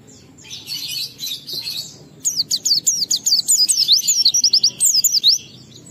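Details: Oriental white-eye in energetic song, played to provoke other white-eyes into singing: a scratchy twittering opening, then a rapid run of sharp high downward-slurred whistles repeated several per second.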